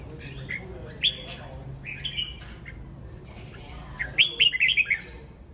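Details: A red-whiskered bulbul sings in the morning, giving several separate whistled notes about a second apart, then a rapid run of five or six warbled, sliding notes.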